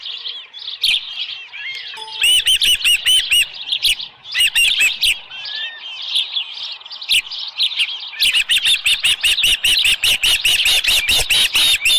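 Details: Osprey at a nest at Dunrovin Ranch, morning of 24 July 2018, with a headless fish around 6:52 AM. Loud, high whistled chirps come in rapid runs, each note arched and sharp, with bursts of quick clipped notes toward the end.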